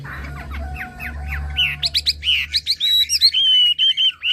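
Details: Chinese hwamei from Hà Giang, Vietnam: a few quieter slurred notes, then a burst of loud, sharp, high chirps and sustained whistled notes in quick succession, with a low background hum.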